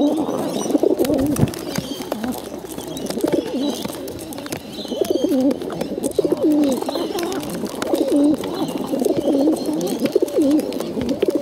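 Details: Hungry bottle-fed pigeons produce insistent, wobbling low squeaks that swoop up and down, delivered in a near-constant stream with brief gaps, accompanied by occasional clicks and handling sounds.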